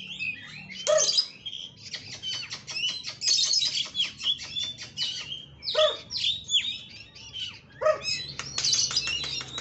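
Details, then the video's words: An Oriental magpie-robin, recorded as a training song for other birds, sings a rich, varied song of quick high whistles, chirps and trills in dense bursts, with brief pauses between phrases. "Masteran burung kacer isian mewah"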